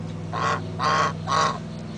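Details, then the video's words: Geese at Big Cypress calling loudly, three evenly spaced nasal honks about half a second apart, each rough and slightly rising, over a constant low hum. "Loud & Obnoxious Geese"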